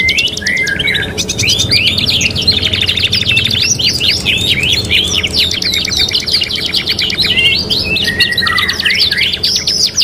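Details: Training recording of prolific canary song, three-in-one style: continuous bubbling trills, rapid repeated buzzy notes and curling whistles, with no pauses, above a faint low-frequency hum.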